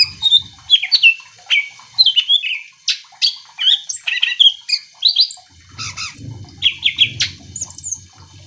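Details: Greater green leafbird in full song, played to provoke other leafbirds into singing: loud varied whistles, slurred chirps and harsh notes in quick succession, with a low rumbling noise in the background during the second half.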